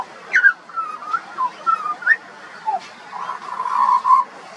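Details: A juvenile pied butcherbird sings a string of mellow, mid-low whistled notes in Australia, some slurred up or down, ending with a longer warbling passage.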